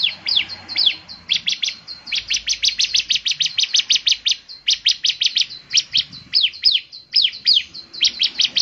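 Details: Vigorous bar-winged prinia song, which is said to get other prinias singing: a near-continuous stream of rapid high chips in fast trilled bursts, mixed with slurred notes, almost without pause.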